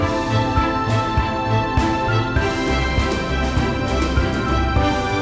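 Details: Upbeat instrumental music with a steady beat and layered melodic tones throughout; no animal sounds heard.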